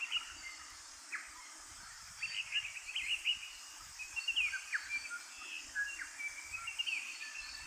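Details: At Kapiti, New Zealand, three Eastern Rosella parakeets pick seeds from alder cones; irregular sharp chirps and short twitters come and go through the second half amid constant environmental hiss.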